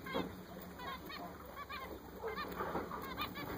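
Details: A group of recently purchased zebra finches calls with short, nasal, toy-trumpet beeps, some doubled, spaced unevenly. A steady high-pitched hum runs underneath.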